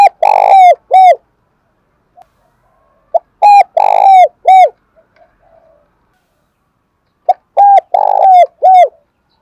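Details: Close, loud spotted dove coo in the 'giọng thổ' style: three full phrases, each a short note, a longer purring coo and a falling final note, separated by pauses of about three seconds.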